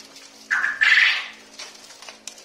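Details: Quail, probably male, since males give a "kok korrrrr" call and females call very low: a short two-part call, a brief clipped note then a louder harsh, rolling burst of about half a second.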